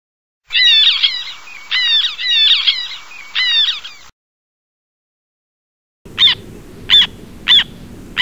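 Black tern giving harsh, scratchy chattering bursts, then sharp, high kik notes about every half second over a low rumble of wind.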